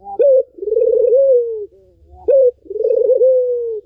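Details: A Barbary dove, heard as a lure for a dove that has stopped singing, gives a short clipped note and then a long rolling coo with a fluttering texture, the pattern starting again.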